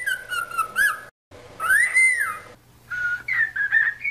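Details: Cockatiel whistling to train a pet bird to sing: long sliding whistles that rise and fall, broken by a brief gap, then shorter warbled phrases, with a faint steady hum below.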